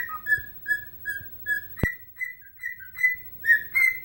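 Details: Whistling its rendition of Chelsea Dagger while dancing, a pet bird gives a steady run of evenly spaced clear whistled notes at a similar pitch, a sharp click near the middle, soft low hum behind.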